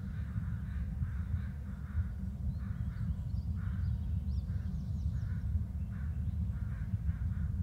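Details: Adult bald eagles calling to one another around the nest: spaced, scratchy notes in small groups, a few high thin squeals mixed in, against a loud low-frequency hum.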